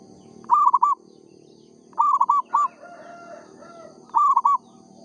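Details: Local zebra dove singing actively: three loud cooing phrases, each a quick stuttered series of three or four rolling notes, spaced about every two seconds over a soft background hum and faint distant chirps.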